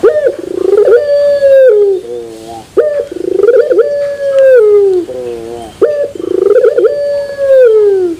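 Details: Puter turtle dove singing pelung with a ringing metallic terasan tone: three repeated coos, each starting with a brief high note and buzzy swell, holding long, then falling into a wobbling lower tail.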